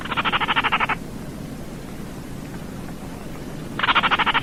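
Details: Baillon's crake rattling: a fast, dry series of clicks for about a second, a long pause of nearly three seconds, then the rattle beginning again, with quiet background noise.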